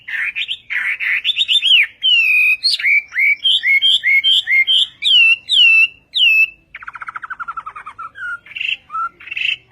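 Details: Chinese hwamei of the western kind in Vietnamese song style: strong looping whistles repeated steadily, followed by a fast dry rattling trill sliding downward, then a few more sweet whistled notes.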